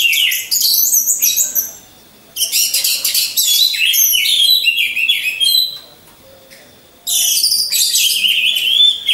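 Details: Caged orange-headed thrush hung in a row for training, singing a lure song: three loud bursts of rapid, shrill twittering and whistles separated by silences.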